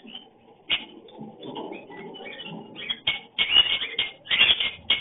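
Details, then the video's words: Lovebird giving its mating call during breeding: bursts of sharp, high, scratchy chirps and rapid chattering notes, growing denser and louder toward the end, with softer low murmuring beneath. "Love Bird mating sound breeding sound breeding call"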